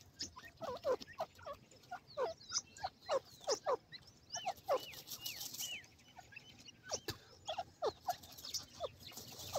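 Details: Female partridge sitting in a cage with her young, giving a dense run of sharp downward-sweeping notes mixed with thin, high chirps and brief pauses.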